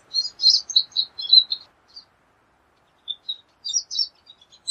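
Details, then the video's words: Pine siskin giving a brief spurt of high, jumbled chirping notes, a pause of about a second and a half, then another short burst of twitters. "Pine Siskin Song! Pine Siskin Call! Pine Siskin Sound! - Jilguero De Los Pinos Canto - Spinus Pinus"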